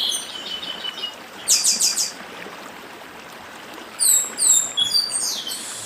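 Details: Chestnut-bellied seed finch from Brazil's Northeast performing dedim song: a buzzy burst of rapid notes, a pause, then sweeping descending whistles, with a stream rushing throughout.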